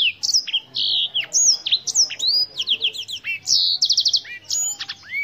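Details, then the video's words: Continuous song of the Black-throated canary, a black-necked finch native to Africa: a lively run of whistled slurs, buzzy notes and rapid repeated chips lasting about five seconds, with a faint low hum. "BlackThroat - Canary BlackThroat Sound"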